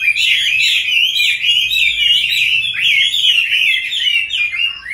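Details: A dense, loud warble of overlapping whistled phrases from caged Chinese hwamei, among several birds kept since wild capture into their fifth year, with notes tumbling rapidly without pause.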